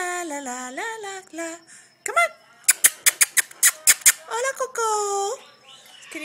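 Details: Female sulphur-crested cockatoo kept as a pet, playing silly: wavering nasal squeaks and chattering notes, then a rapid run of about eight sharp clicks, followed by a drawn-out harmonic call, with a person speaking softly.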